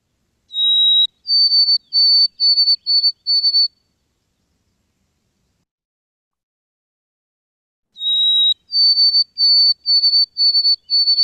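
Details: A White-throated Sparrow sings twice, about seven seconds apart: one clear, pure whistle, then a higher run of five or six short whistled notes, often likened to "Canada, Canada, Canada."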